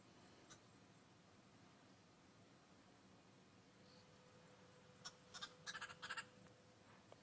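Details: A single Green Wood Hoopoe calling in the distance on an evening safari drive on 10/26/16 as the light fades, then hopping onto a treetop, gives a brief burst of harsh, rapid cackling notes over low hiss and hum.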